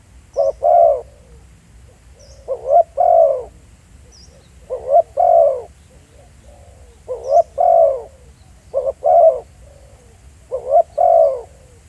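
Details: Steady cooing from a spotted dove decoy in the field: six regularly spaced phrases, each a clipped rising note followed closely by a mellow descending coo, with faint high chirps from other birds.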